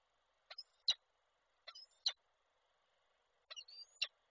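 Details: Peregrine falcon pair in Koszalin on 29 November 2023, the male bringing a prey gift the female refuses; three spaced bursts of sharp, grating notes, each followed by a thin high whistle, recorded from a nest webcam.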